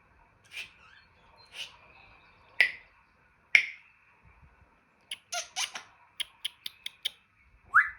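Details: Indoor pet African grey parrot making its assortment of mimicked noises: scattered sharp pops and squawks, then a quick run of dry clicks near the end, finishing with a short rising squeak.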